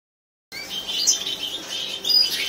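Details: Captive European goldfinches, a white-headed mutation male carrying brown and a brown female carrying white-head, give high, thin twittering chirps with short tonal notes, steady and dense after half a second of silence.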